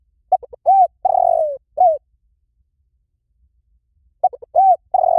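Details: Spotted dove cooing: two short low notes, then a long level croo that slides gently down, a shorter arched coo, a pause of about two seconds, then the phrase starts again; the background is otherwise quiet.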